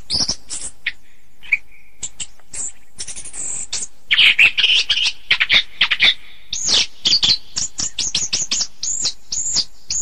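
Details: Orange-headed thrush singing a long, varied phrase of rapid high chirps, buzzy rattling notes and clear whistled slurs, with a dense burst midway and repeated upward-hooked whistles near the end.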